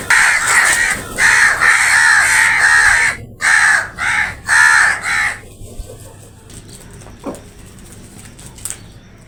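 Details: Crows in a noisy fight over food: a loud run of harsh, hoarse caws repeated in quick bursts for about five seconds, then fading to faint rustling and a distant call.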